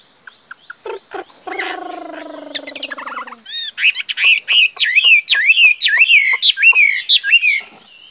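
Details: Chinese hwamei singing a varied phrase: a few sharp ticks, then low, harmonic-rich drawn-out notes, and finally a fast run of loud looping whistles that rise and fall.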